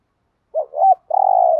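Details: Caged decoy spotted dove urging wild birds with its coo: a brief two-part warble, a pause, then a long even humming coo with a stuttering onset.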